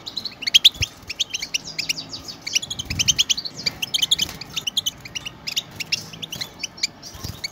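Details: A group of European goldfinches sings to motivate pet goldfinches: busy, high, silvery twitters and chirps pile up in dense overlapping phrases, loudest in the opening seconds, with faint low knocks behind.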